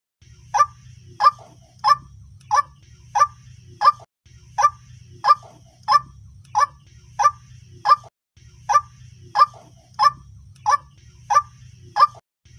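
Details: Repeated lure call of the white-breasted waterhen, played to attract birds for trapping: clipped, hoarse single notes at a regular beat of about one and a half per second, in looped series over a faint low hum.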